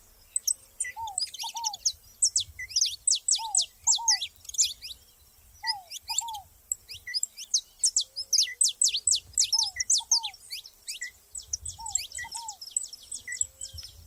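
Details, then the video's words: Saffron finches singing together in the wild: dense bursts of sharp, high chirps and short downswept notes, with a lower paired whistle of another bird repeating every couple of seconds. "canário da terra junto na natureza"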